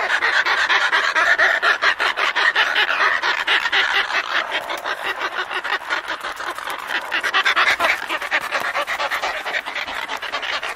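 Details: Close-up of a pair of Antarctic petrels exchanging calls within their colony, Scullin Monolith, Antarctica: a loud, continuous grating chatter of quick rhythmic pulses, strongest at the start and again near the end.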